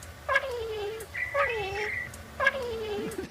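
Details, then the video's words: Two bowerbirds, wild, mimicking a woman calling for her cat, learned in under a year from hearing it once or twice daily; falling, voice-like drawn-out calls with harmonics, three phrases over about three seconds, faint hum beneath. "I've got a recording of a bowerbird, or 2 bowerbirds in fact, that mimic a lady calling for her cat, which is called Bonnie."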